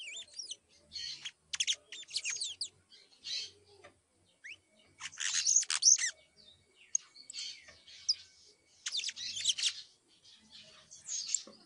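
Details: Young canary chick practising its first songs, a scratchy early warbling with trills: bursts of high, rapid twittering and sweeping notes come in bouts of one to two seconds, separated by short pauses, in an otherwise quiet setting.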